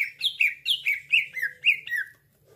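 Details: Cucak ijo lure call for trapping: a steady sequence of about nine loud whistled notes, each sliding downward, evenly spaced, over a faint low hum.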